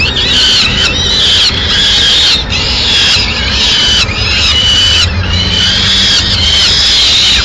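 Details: Peregrine falcon at a nest in Madrid, 6 May 2016, as the female brings a pigeon; loud, harsh, drawn-out wailing calls with a rough, squealing tone, about one per second, broken by brief gaps, over steady background hiss.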